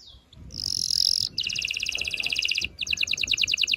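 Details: Canary singing to prepare females and males for mating: a sustained buzzy high note followed by rapid pulsed trills repeated several times a second, over a low background rumble.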